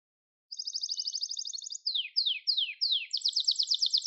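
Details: Gloster canary song for training: after a brief silence, a fine, even high trill, then four slow, separate downward-slurred notes, ending in a bright, rapid buzzy trill.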